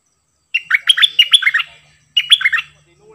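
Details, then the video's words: Double song style of a cream-vented bulbul, June 2021: a rapid run of bright, bouncing whistles, then a shorter phrase of the same dipping notes after a brief gap. "เสียงนกดอกแตงEp.59 Birds sounds เพลงเบิ้ลของเจ้าเพชร!!Merbah lekir gacor"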